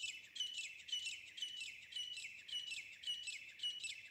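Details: Grey francolin hunting-call sound: loud, shrill, grating notes in quick succession, about two phrases a second, high in pitch with no other clear sounds.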